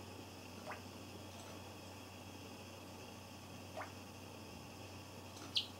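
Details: A pet Java sparrow, recorded 3 December 2015 with the audio doubled, calls in three different voices ("ka", "poyon", "chun") of unclear meaning: two quick rising chirps, then a sharper, higher chip, over a steady low hum.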